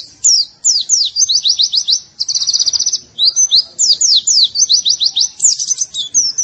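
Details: High, lively white-eye song, used as masteran material for training birds: tight bursts of rapid trilled notes alternating with swooping slurred whistles, nearly continuous throughout.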